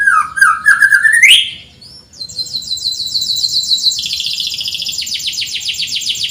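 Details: Canary song for tutoring birds that seldom sing opens with a loud lower warbling sweep climbing upward, a short pause, then long high rolling trills of fast repeated notes.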